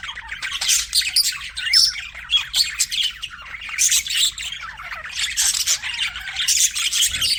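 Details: Pet budgies chatter continuously, a busy mix of harsh squawks and quick chirps rising and falling in waves, many birds calling at once with no other sounds.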